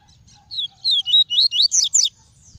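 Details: Double-collared seedeater (papa-capim), a caged bird, singing in the clean tuí tuí style: a short phrase of quick, high, sliding whistled notes rising toward the end.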